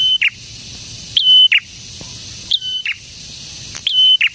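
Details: Prinia singing high, repeated phrases: a quick rising note, a level whistle, then a rasping downward end, coming roughly every 1.3 seconds against quiet background noise.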